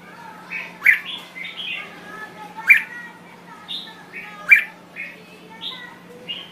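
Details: Thai red-whiskered bulbul singing a repeated phrase: a loud sharp chirp followed by softer, lilting whistled notes, the pattern recurring roughly every two seconds above a faint low hum.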